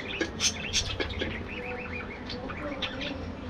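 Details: Budgerigars in a colony aviary: clipped chirps and little rising-falling warbled notes repeated quickly by several birds, with a low background hum.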